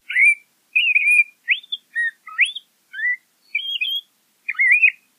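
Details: LeConte's thrasher song in slow, spaced delivery: single whistled and slurred phrases, several rising steeply, about one every half second to second, with faint high notes between; quiet background.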